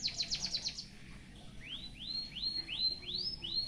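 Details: Canary-filled song of a white-headed munia kept for tutoring other birds: a quick series of steep downward slurs gives way to six upswept, arching whistles evenly spaced, over faint low rumble.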